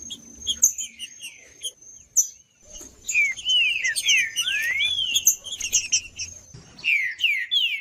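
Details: Green-winged saltator in macheando style for warming up another bird: sparse high chips at first, then a lively stretch of loud curving whistles and rising slurs over busy chatter, ending in a few downslurred notes.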